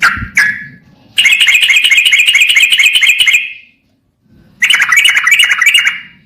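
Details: Yellow-vented bulbul song used as a lure to provoke other birds into singing. A couple of short calls come before a sustained rapid chattering rattle, then a silent gap, then a second dense burst of quick bright notes.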